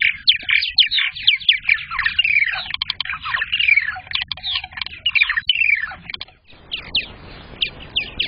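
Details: Purple martins at a nest box camera in their second season, recorded on May 15th, 2022, the day the first egg was laid. Dense, gurgling, chirping chatter sweeps up and down through overlapping notes, and becomes softer and scratchier near the end.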